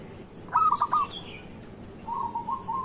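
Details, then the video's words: Local zebra dove song used as a morning lure for other doves: a short, loud burst of quick coos, then a softer, trailing run of rolling notes about a second later. "Perkutut lokal gacor pancingan untuk pagi hari"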